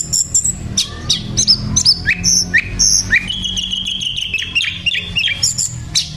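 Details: Sikatan londo flycatcher singing actively: a rapid jumble of short high whistles and sharp slurred notes, some sliding down steeply, others held briefly, delivered in quick bursts over a low background hum.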